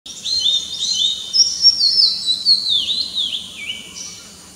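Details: Oriental magpie-robin singing in the morning: a loud, varied run of clear whistled notes, sliding and warbling phrases that fall and rise in quick succession, with a faint insect hum behind.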